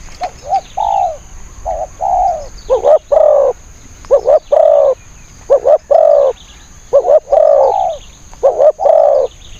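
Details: Decoy spotted dove calling to draw in wild doves: dense, overlapping series of mellow coos, short clipped notes leading into drawn-out arched ones, sometimes crowding together, over a constant thin high-pitched hum.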